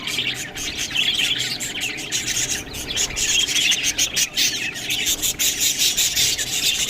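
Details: Budgerigars eating green food give a dense, continuous chatter of high warbles, squeaks and chirps, overlapping throughout with sharp clicking bursts.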